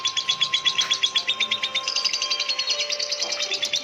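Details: Lovebird in long non-stop 'acian' whistling song: a dense, fast, continuous trill of high rattling notes, about four per second, over a steady tone and faint background music.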